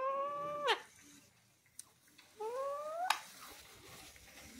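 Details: A pet talking parrot (mitthu) gives two drawn-out, nasal, rising utterances, each under a second and ending in a sharp click, with a pause between them in a quiet room.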